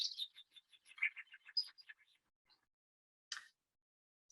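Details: Chaffinch in New Zealand, where it is among the most common birds of bush edges, forest and towns: a quick run of bright, high notes falling in pitch over two seconds, then a single sharp note after a pause.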